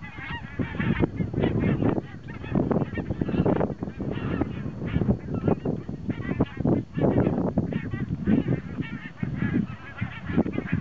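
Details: Thousands of migrating geese resting on a lake at Hjälstaviken near Stockholm, Sweden, on a very windy autumn day, 22 September 2009; a dense chorus of overlapping nasal honks and cackles under heavy wind rumble.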